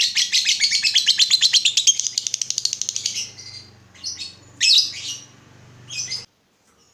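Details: Lovebird in full voice, meant as a lure so other lovebirds reply with ngekek: a fast, high, rattling trill for about three seconds, then several harsh chattering bursts, over a faint low hum.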